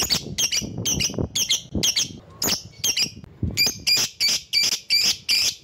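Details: Lovebird lure call meant to summon rivals: rhythmic harsh doubled chirps repeated roughly three per second, growing louder and buzzier toward the end.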